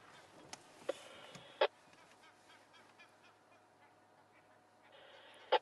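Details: Francolins calling at Djuma Game Reserve, South Africa, on a morning safari drive in June 2011: a few harsh, grating, cackling notes, spaced irregularly over several seconds, over a soft hum of background noise.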